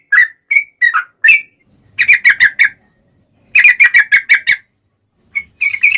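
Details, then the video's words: Yellow-vented bulbul giving 'ropel' style song, meant to make other bulbuls sing: scattered liquid whistles alternating with quick bursts of four to six rapid chattering notes. "trucukan gacor ROPEL PANJANG buat pancingan trucukan agar bunyi"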